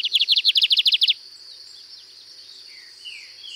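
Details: Distinctive-style song of a Lined seedeater at a farm in Cunha, Brazil: a one-second burst of rapid, sharp, buzzy chips, then faint scattered whistles against a continuous high-pitched insect drone.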